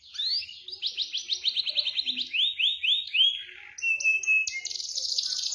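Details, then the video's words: Canary singing in a rolling style: a string of quick descending high chirps speeding into slurred sweeps, then flat whistled notes and a buzzy high trill. "PANCINGAN KENARI MACET | Langsung Nyamber bunyi Ngeroll"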